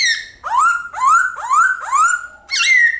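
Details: Forest-style White-cheeked laughingthrush song: a clear opening whistle, four strong whistles each sweeping upward, and a final higher note that drops slightly.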